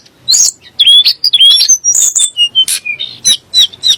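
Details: Sunda blue robin song (tledek gunung), played to provoke magpie robins and muri into emotional singing. Rapid sequence of sliding whistled notes and sharp high chips, delivered in quick bursts, roughly two per second.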